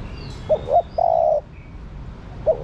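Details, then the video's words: A female spotted dove coos to excite the male, two clipped notes and a sustained even coo, then a fresh short note starts the next phrase; soft hum in the background. "Cu Mái Thúc Trống. Chim Cu Gáy Mái Thúc Trống Nhạy Bén. Tiếng Chim Cu Mái Gáy Kích Bổi"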